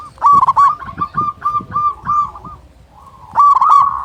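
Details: Local zebra dove, a lively singer with a big voice, used as a lure to make other zebra doves sing: rolling cooing notes in fast bursts, a pause, then another burst, with low background rumble.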